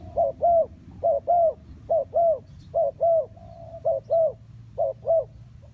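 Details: Spotted dove cooing in soft, low paired notes, each pair roughly a second apart and repeated six times, with a steady murmur of background noise underneath.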